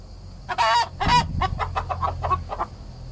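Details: Araucana hen singing while drinking, a domestic bird that sets neighbouring roosters into a frenzy: two loud, harsh, strained squawks, then a fast run of shorter nasal clucking notes tapering off.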